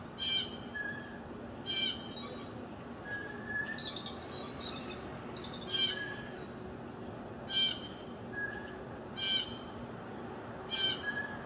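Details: Blue jay repeating loud, scratchy single calls roughly every one and a half to two seconds, seven in all, over a continuous shrill insect chorus, with occasional faint short whistled notes from other birds between calls.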